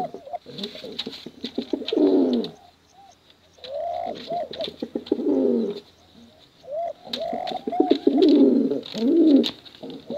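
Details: Contest pigeons, male and female, give repeated throaty cooing bouts with short rising notes between them and pauses in between, with light clicks and scratching around them.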